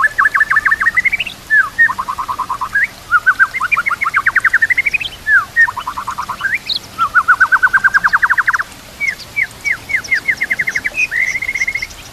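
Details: White-rumped shama tutor song filled with mimicked kapas tembak and canary phrases: fast trills of repeated notes, rising sweeps and rapid chattering runs, phrase after phrase with short pauses, clear over a quiet background.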